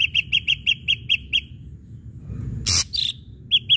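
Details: Provoking song of an Ashy drongo, used to get other birds singing: a quick row of repeated clear notes, a short gap, a harsh burst, then two more notes.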